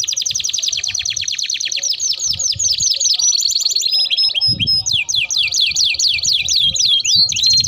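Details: Long rolling canary song meant as a lure and tutor for young canaries: quick high trills, a stretch of sharp upslurred whistles, then further rapid rolls, clean and continuous with little background.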